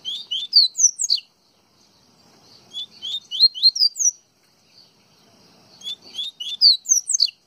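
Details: Yellow-bellied seedeater (coleiro baiano) from Pernambuco singing: bursts of sharp, rising whistled chirps, about ten quick notes per phrase, with phrases separated by short pauses; a faint low murmur in the background.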